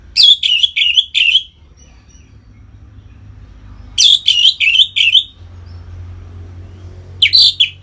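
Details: Orange-headed thrush 'ngeplong' song played to bring captive birds into breeding condition: three bursts of loud, fast, rich whistled and trilled phrases, each about one to one and a half seconds, separated by silent gaps.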